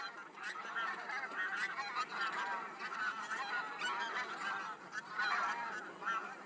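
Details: A large flock of geese flying from feeding fields to a lake for their daytime rest, giving a dense, continuous chorus of overlapping nasal honks with no pauses.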